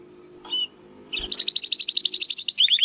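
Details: Domestic canary song for training competition birds: after a faint low background hum and a short note, a fast even rattling trill runs for over a second, then a brief lower trill.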